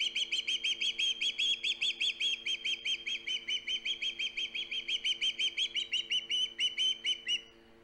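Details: Osprey at its nest on Hog Island, filmed by a live nest camera on 3 September 2019, calling loudly: a long fast series of sharp, piercing whistled chirps, about five each second for over seven seconds, over a faint steady hum.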